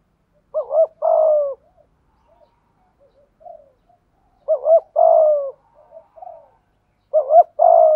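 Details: Malaysian spotted dove performing thúc gù cooing. There are three phrases, each a quick rising-falling double note and a long, slightly falling coo, separated by soft low mutterings.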